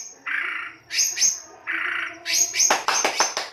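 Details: White-rumped shama giving rough, harsh song used as a lure to stimulate other birds to sing: broad raspy bursts alternate with thin high notes, ending in a series of sharp clipped notes.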